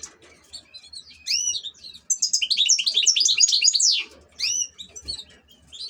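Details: European goldfinch, an ornamental cage bird, singing: a few high slurred chirps, then a fast, loud run of liquid twittering and tinkling notes for about two seconds, followed by further bright chirps.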